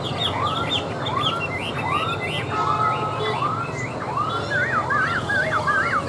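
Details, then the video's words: Caged tame Chinese hwamei singing on a table: rising whistled arcs mixed with quick wavering, zigzag whistles that become loud and rapid near the end, over background noise. "Họa Mi Hót"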